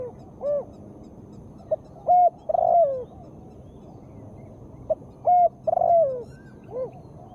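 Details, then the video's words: Female spotted dove calling, used to coax lazy caged birds into singing. Two cooing phrases, each a short blip, a rounded arched coo, a steady loud coo and a long drawn coo sliding downward, ending on an arched note; quiet background. "Tekukur gacor suara betina sangat bagus untuk terapi burung yang malas bebunyi"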